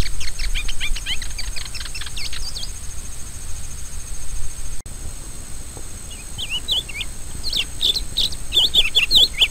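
A Rusty-collared Seedeater sings a fast, varied run of high chirps and twittering notes, pausing midway and then returning louder, over a steady low rumble of background noise.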